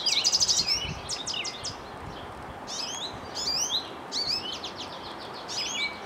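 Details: Springtime goldfinch perched in a birch after leaving a bird feeder, singing loud rapid high chatter at first, then several short bursts of twittering, buzzy and slurred whistled notes with brief gaps, over a faint steady hiss.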